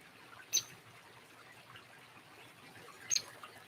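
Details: Hairy woodpecker at a suet feeder at a nature center, giving sharp, forceful peek notes; two brief high clicks about two and a half seconds apart over quiet indoor background.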